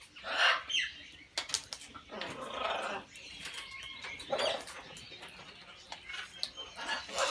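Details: Macaws in an aviary give harsh, raspy squawks in irregular bursts, some long and grating, mixed with wing flapping and softer chatter from other birds.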